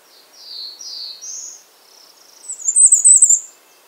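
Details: Bay-breasted warbler calling: a few thin, high downslurred notes, then a brief, very high, buzzy trill near the end, over a quiet background.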